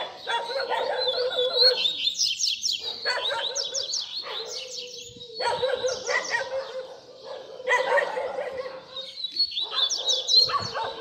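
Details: Double-collared seedeater baderna song with fibra delivery, meant for tutoring young birds; long dense phrases of rapid high sweeping notes over buzzy lower rattles, broken by short silences about every two to three seconds.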